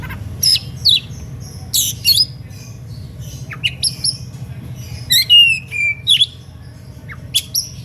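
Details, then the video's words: Oriental magpie-robin singing in an emotional, varied style meant to provoke other magpie-robins into singing: scattered sharp high whistles and harsh squawky notes in separate bursts with gaps, over a steady low hum. "SUITAN KACER NGEPLAY EMOSI MEMANCING LAWAN IKUTAN BUNYI"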